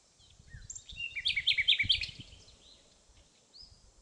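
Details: Common nightingale singing on 28 April 2016 in Pszczyna county, southern Poland. A few thin whistles lead into a bright, rapid, high trill of repeated notes that swells and then fades, over low background rumble.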